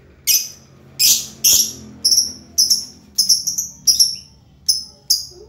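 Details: High, piercing lovebird chirps come singly and in quick doublets, about two a second, over a quiet background. The bird is described as colourful and always cheerful.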